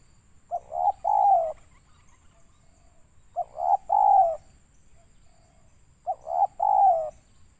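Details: Spotted dove call used as a lure for trapping birds, from Riau, Indonesia: three cooing phrases about every 2.7 seconds, each two short coos then a longer, drawn-out hoarse coo; a faint steady high whine runs throughout.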